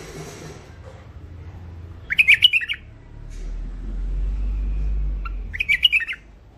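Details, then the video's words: Hybrid finch (mule), thick-throated, repeats a short burst of bright, rapid chirps twice, roughly three and a half seconds apart, with low indoor rumble between phrases. "مخلف وحشي علوازي أول عزله حنجره ثخينه"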